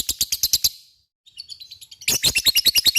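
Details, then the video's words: Shrill ngekek trill of a lovebird, played to prompt rivals to answer: a burst of rapid high chattering, a short gap with soft quick twitters, then loud fast pulsed chatter again. "Pancingan LOVE BIRD gacor ngekek,mudah di respon lawan"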